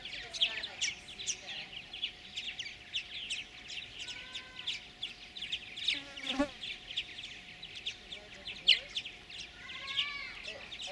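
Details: Purple martin chicks being fed by a pair of adults in a gourd nest at a bird farm near Lacombe, Alberta, Canada, in 2017; dense chattering high chirps and buzzy notes, with a few rising chatter phrases and a low steady hum.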